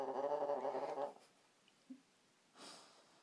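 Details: Pet African grey parrot indoors, talking and making a snoring noise. A rough, buzzy, harmonic rasp lasts about one second, followed by near silence with a faint click and a soft hiss.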